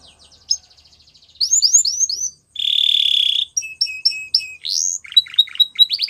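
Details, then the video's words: Spanish Timbrado canary song built from varied phrases: soft ticking, rising slurred whistles, a dense metallic buzzing trill, then quick swooping and upslurred notes in short bursts. "Spanish Timbrado Canary Singing"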